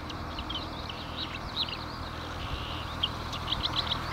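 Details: Marsh warblers recorded at Lippetal on 3 June 2021 at 10:40 in the morning: short, varied chattering and twittering notes, some rising and falling, with a run of rapid sharp chips near the end over a low background rumble.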